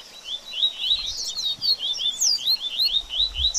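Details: A double-collared seedeater sings a baderninha phrase, used to stimulate a bird after moulting: flowing, wavering high whistled notes strung closely together, with light low-pitched background noise.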